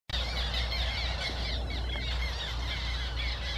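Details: Several black terns give sharp, squeaky kreek calls that overlap in a busy chorus over a steady low rumble of wind, at the Łąka reservoir on 14 May 2021.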